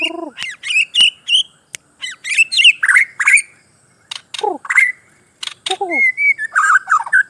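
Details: White-crowned shama from Sabah, Borneo, singing a varied, fast song: bright whistled phrases, sharp chips and descending slurred notes in quick bursts, with brief pauses between runs.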